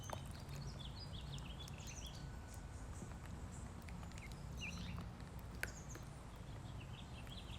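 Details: Ducklings at feeding time give soft, high peeps, scattered early and again near the end, short and slightly curved. Low rumbling noise continues throughout, with tapping clicks from pecking.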